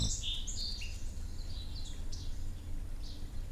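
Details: A hummingbird gives a quick run of thin, very high squeaky chips and short twittering notes over a steady low rumble, as a mother spars with her chick while it learns to fight and defend itself.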